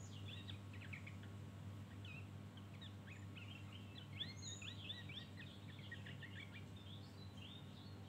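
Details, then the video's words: Javan grey-throated white-eye in ngeriwik mode: a continuous stream of fast, thin, bent chirps and twitters, fairly soft and steady throughout, with a strong low hum and background noise underneath. "Opior Jawa ngeriwik Full isian"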